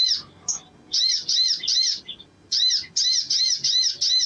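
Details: Lively sogon song meant to spur other sogon birds to sing: a few opening chirps, then steady trains of repeated arched, ringing high notes at a quick pace.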